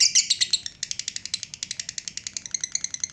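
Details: A lovebird's 'ngekek panjang' long trill, opening with harsher louder notes, then settling into an evenly spaced, quick, high chattering rattle that continues to the end.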